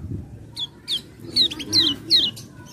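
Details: Lure recording of a common iora to prompt singing: a string of quick descending whistles, softer and slightly blurred, with low rumbling noise underneath.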